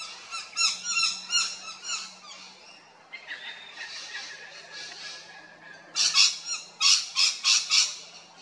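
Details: Rainbow lorikeets at Big Swamp Station, South Australia, giving harsh, screechy, strident calls in rapid bursts: a run of about eight squawks, a quieter patch, then another loud burst of six or seven shrieks near the end.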